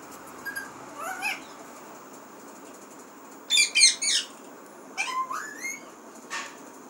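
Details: Talking pet parrot making scattered sounds: a low rising whistle, then a cluster of rapid harsh chirps, followed by a long upslurred whistle and a last short squawk.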